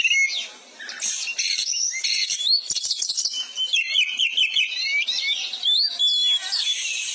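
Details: Oriental magpie-robin singing loudly and continuously as tutor material for caged birds: dense tumbling mix of sweet whistles, rapid chattering trills and sliding notes with almost no gaps.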